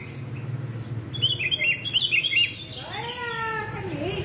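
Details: Red-whiskered bulbul of the yellow-vented form in contest singing: a quick run of chirpy, warbled notes lasting about a second. A rising, voice-like sound and low background rumble follow.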